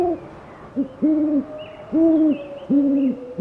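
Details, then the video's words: Owl giving clear, steady hoots, each about half a second long and spaced under a second apart, against a soft hiss. "SOM DE CORUJAS - DIVERSAS E INCRÍVEIS CORUJAS - OWL SOUND - CANTO DAS CORUJAS"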